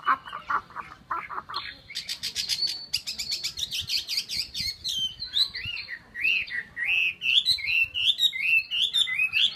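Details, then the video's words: Chinese hwamei, a cage bird in Vietnam, singing a rich varied song: low whistled phrases repeated, then dense rapid trills and churring notes, then a run of loud slurred rising whistles, rapid and continuous throughout. "chim họa mi"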